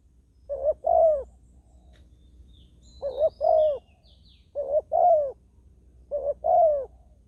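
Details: Spotted dove decoy luring wild doves at ground level. Four evenly paced cooing phrases, each a quick double note and a longer warbling coo, about every one and a half seconds, with faint distant chirps.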